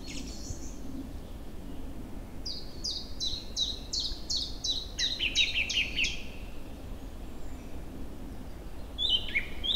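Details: Early spring bird chorus on an April day in woodland and meadow as the river runs free of ice. After a quiet opening, a quick string of bright descending notes sounds for about four seconds, ending in a twitter, with low water noise throughout.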